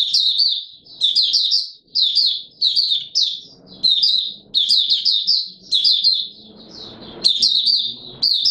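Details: Mata Puteh Raja white-eye in full open song on a warm humid day, 20 March 2022: continuous string of high, sweet, chattering phrases with quick slurred notes and short breaks, over soft low rumbling room noise.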